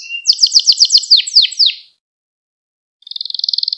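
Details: Gloster canary song for stimulating other canaries: a rapid trill of descending sweeps lasting under two seconds, a silent gap, then a new buzzy trill starting.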